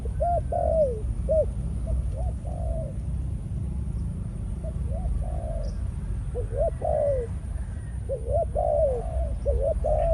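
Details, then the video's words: Caged male spotted dove, Malaysian type, used as a lure bird and now in breeding mode after feeding on the ground. It repeats series of short, hollow coos with occasional longer falling notes, over a steady low-pitched noise. "Chim cu gáy mồi || Nọc Neymar dưỡng vài kèo ăn đất rồi vào chế độ Sinh Sản"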